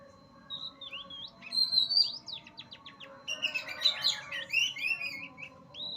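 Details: Oriental magpie-robin, a kept songbird, delivering high, varied chirps and slurred whistles with rapid buzzy notes in bursts, separated by brief pauses; faint steady hum in the background.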